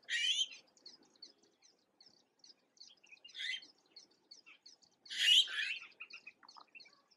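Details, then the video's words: Young Red-billed blue magpies, newly independent fledglings in Uttarakhand, India, visited by a feeding parent: three broad, grating bursts at the start, middle and five seconds, with thin rhythmic twittering of other birds throughout. "Red Billed Blue Magpie and the babies"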